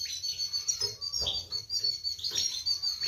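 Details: A European goldfinch gives a mating song, a fast, high, tinkling, continuous twitter with a few buzzy notes; the female is said to take a mating posture on hearing it.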